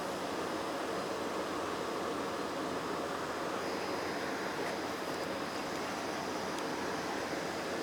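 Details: Constant broadband rushing noise, like wind or distant running water, throughout, with no animal sounds.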